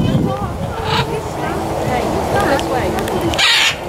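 A macaw gives harsh, raspy squawks, with a loud screech near the end; a voice and background clutter are heard throughout.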